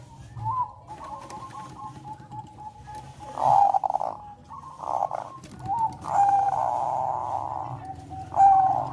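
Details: Zebra dove of Bangkok style giving melodious song meant to heighten breeding urge; a faint wavering coo line broken by several loud, rough, swelling coo bursts, some long and held, over a low background hum.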